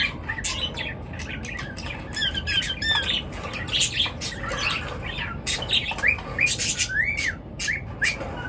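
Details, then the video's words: Morning bird chatter from several birds at once: sharp squawks and quick high chirps crowd together in busy bursts, some rising whistled notes, little pause between calls, over a faint low background rumble. "পাখির কিচির মিচির ডাকে সকাল বেলার ঘুম ভাঙা"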